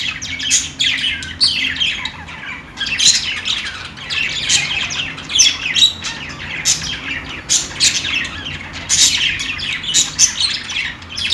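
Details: Budgies chirp while playing, a continuous stream of squawky, raspy notes and thin tweets, closely spaced and uneven, against a quiet low electrical hum.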